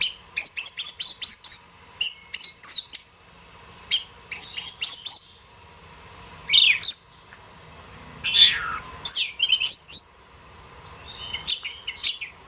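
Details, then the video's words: Kacer, the Oriental magpie-robin, singing masteran training material for songbirds: fast runs of short, very high chips repeated in quick series, broken by a few longer sliding whistles and pauses. "#MASTERAN #burung #kacer"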